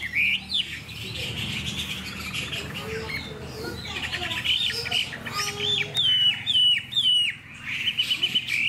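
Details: Caged hwamei with a spread tail singing in the afternoon: loud, varied whistled phrases with sharp slurred notes, growing stronger toward the end, over a low hum and faint background noise.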